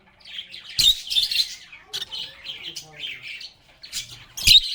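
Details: Lovebirds chattering as they play and talk: bursts of high twittering warble in short phrases, separated by brief pauses, with sharp clicks or taps at the start and near the end.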